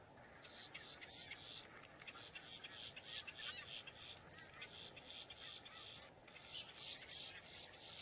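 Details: Boat-tailed grackle calling in alarm or warning: a steady run of rasping, grating notes, several per second, uneven in spacing, with faint background noise.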